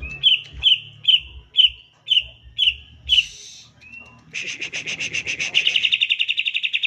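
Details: Green leafbird 'tembakan' song, used to provoke silent leafbirds into song: evenly spaced sharp, rising whistled notes about twice a second, a short slurred whistle, then a dense rapid chatter of high pulsed notes.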